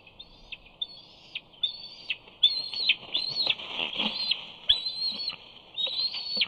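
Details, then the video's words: Young eagle at the Big Bear nest, squealing as it tries to get into the nest to claim a fish; thin high whistled squees, some rising, come in uneven bursts with soft rustling and wing sounds between. "Simba squees as he tries to gain entry to the nest."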